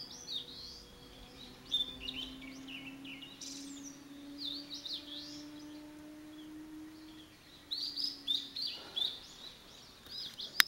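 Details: Blue-and-white flycatcher, a male in vigorous song, delivering repeated high, sweet whistled phrases with fast slurred notes, separated by short pauses, with a low steady hum underneath.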